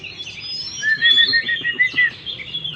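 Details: Oriental magpie-robin song to encourage a stressed bird to sing again; a run of repeated clear whistled notes with chirps above, brief and rhythmic.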